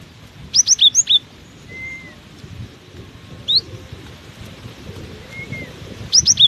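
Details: Cinereous tit singing hard despite strong wind. A quick series of paired high whistled notes opens the passage, a lone sharp note follows midway, and a fresh burst of notes closes it, all over constant low wind noise.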